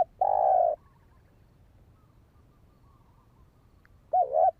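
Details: Spotted dove calling for decoy training: one long, level, mellow coo, a long silence, then a shorter dipping coo at the end.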